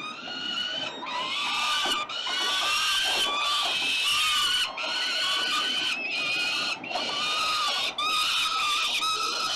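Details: Struggling over prey, peregrine falcons at Melbourne's 367 Collins site scream at 5:07 p.m., 5 November 2022. Harsh, shrill, wavering screams run in long bursts of one to two seconds, with brief breaks between them.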